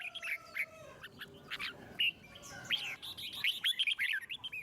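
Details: Red-whiskered bulbul singing in a wild voice, meant to get other birds singing: scattered slurred whistles at first, then a quickening series of bright, warbling notes toward the end.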